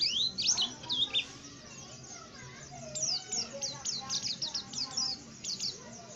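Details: Tame white-eye singing actively: rapid high, thin chirps and downslurred twittering notes in dense bursts, with quieter human voices and children's chatter murmuring underneath.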